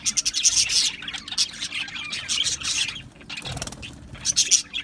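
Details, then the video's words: Australian budgies in an aviary colony chirping: a dense chorus of high, scratchy chatter and warbles from many birds, with a steady faint hum underneath. "Beautiful Australian Budgie birds Chirping Sounds | Budgie birds sounds"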